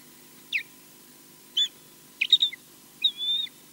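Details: Osprey at its nest at Loch Garten, Scotland, filmed by a live nest camera, defending the nest alone against a distant intruder. Short sharp notes, some dropping in pitch and some flat and piping, come in an uneven burst.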